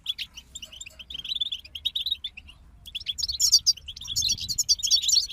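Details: European goldfinch group singing: fast, liquid twittering of short chirps and trills, busy in the first second, a brief pause near three seconds, then denser and louder high buzzy, tinkling phrases to the end.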